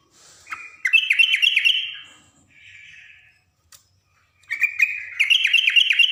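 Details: A female yellow-vented bulbul calls for a male with ngriwik chatter: twice, a short level note opens into a quick run of bright, bouncing, repeated notes, with a soft hissy sound in the pause between.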